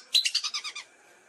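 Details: Single short phrase from a lesser whistling duck lure recording: about seven rapid, high whistled notes in under a second, fading and sliding a little lower toward the end.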